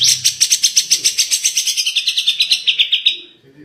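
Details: Cucak jenggot, or grey-cheeked bulbul, delivering tembakan-style song: one steady, rapidly pulsed trill of about twenty sharp notes in three seconds, slightly falling in pitch and fading at the end.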